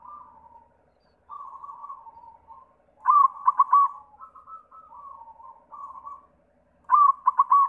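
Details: White variety of zebra dove singing, played as a lure to get other doves to sing. Soft mellow cooing phrases alternate with louder rolling, stuttered coo bursts. Roughly two full cycles are heard, with no other clear sounds.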